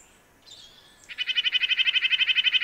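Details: Red-breasted nuthatch: after a faint high note, a rapid, even string of nasal, buzzy-toned notes begins and carries on at about four per second until the end.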